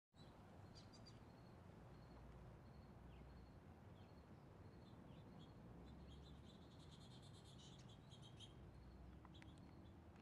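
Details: Lesser goldfinches heard faintly through steady low rumbling background noise: scattered thin, high chirps and short twittering bursts, with a denser cluster of high notes near the end.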